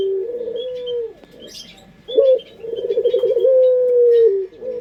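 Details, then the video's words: Collared dove of the puter pelung type sings a lure song: a low drawn coo, a pause, then a sharp rising note, a quavering rolled stretch and a long level held coo, with thin distant bird chirps in the background. "Pancingan Suara Burung Puter pelung paling dicari bersuara merdu"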